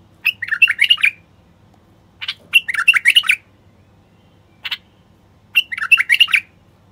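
Bulbul song: three short, bubbling phrases of fluty, warbled notes about every two and a half seconds, with brief scratchy notes between them.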